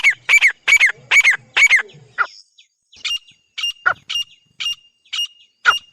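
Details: Grey francolin pair calling: five loud, harsh, buzzy notes in quick succession, then a sparser run of short, sharp clicking notes with clear gaps between them.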